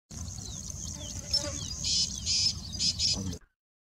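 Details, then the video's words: Rain quail, a male and a female walking in jungle: sharp, high, metallic notes come in short bursts, several in quick succession, over a low rumbling background. The sound cuts off abruptly near the end. "Rain Quail Beautiful Sound"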